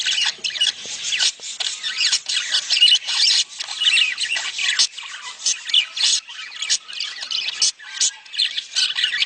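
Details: Budgerigars giving mating calls intended to stimulate egg laying in the female: steady scratchy warbling chatter mixed with squeaky chirps and harsh notes, pulsing in short bursts throughout.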